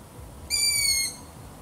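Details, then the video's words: Long-eared owl making one thin, high squeal about half a second long, nearly level in pitch with strong overtones, over soft background hiss. "LONG EARED OWL"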